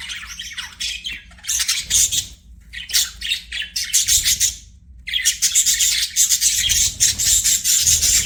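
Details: Budgerigar chirping: loud scratchy chatter and squawks in bursts, a near-silent pause around five seconds, then continuous rapid buzzy warbling, with low hum in the background.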